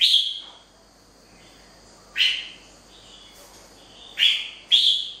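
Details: Wild-caught red-whiskered bulbul giving short, bright, slurred whistled phrases, a loud burst at the start and then three more at roughly two-second and half-second gaps, with quiet pauses between.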